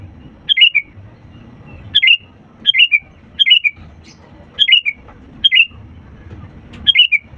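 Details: Sooty-headed bulbul song used as a lure for reluctant singers: seven crisp, bubbling, descending three-note phrases at irregular intervals of about a second, over a low rumbling background.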